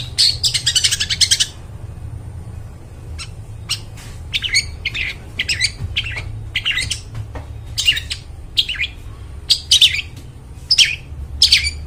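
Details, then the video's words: Long-tailed shrike singing actively, its clear, ringing voice suited to luring forest birds; an opening rapid chatter, then scattered sharp chips and short harsh phrases across about twelve seconds, over a faint hum. "cendet gacor, suara plong bening cocok buat pikat burung dihutan"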